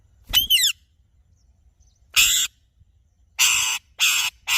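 Alexandrine parakeet: a ringing, down-slurred call, then four loud, harsh, raspy squawks about a second apart against a quiet background.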